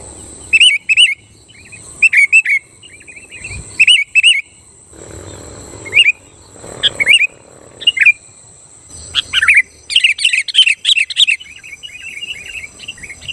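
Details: Active sooty-headed bulbul song meant to provoke other bulbuls into singing: repeated bubbly two-to-three-note whistled phrases every second or two, then a dense burst of overlapping chattering notes toward the end.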